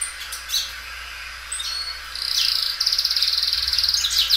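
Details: Loud Belgian canary, a carefully kept singer, breaking from a few thin whistles into a sustained fast trill that rattles evenly for about two seconds.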